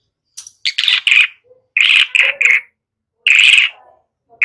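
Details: White-rumped shama song used as a lure to train young birds to sing loudly: harsh, buzzy bursts of notes in short clustered phrases separated by pauses, with a faint low whistle between.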